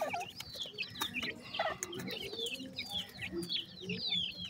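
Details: Grey francolin (partridge, teetar) chicks feeding, several young birds together; a busy overlapping chorus of short, high, down-slurred peeps, some rising, with a steady low hum beneath.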